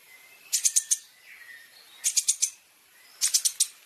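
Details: Long-tailed shrike song from a training recording for caged birds with varied fill-in phrases: three short bursts of four or five sharp, very high chattering notes, about one burst every 1.3 seconds, with faint thin whistles between them.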